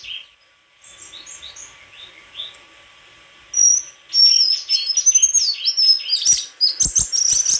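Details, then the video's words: White-throated flycatcher starting with soft, distant-sounding notes, then launching into loud, sustained high whistles and a quick chattering finish with clicks. "Sikatan krongkongan putih suara gak kalah sama burung kicau lain"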